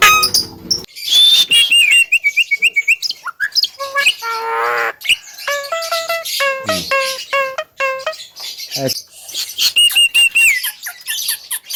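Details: Javan myna in lively song, made as a master recording for training other birds; a mix of high whistles, steady flat whistled tones, stuttering harmonic notes and a buzzy rattling passage, with abrupt shifts in pattern.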